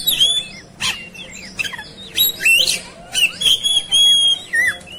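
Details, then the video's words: Oriental magpie-robin, agitated and ready to fight, singing a varied run of clear whistled phrases, slurred rising and falling notes mixed with sharp chips and harsh bursts, several birds heard together with a faint low hum beneath. "Segala Kacer Ikut Ngamuk Tarung"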